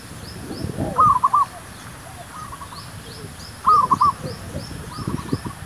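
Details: Zebra dove song used to lure wild doves for trapping: two clear rolling phrases of quick, stuttering coo notes, each about half a second long and roughly three seconds apart. Faint high chirps from other birds and a low background rumble are also heard.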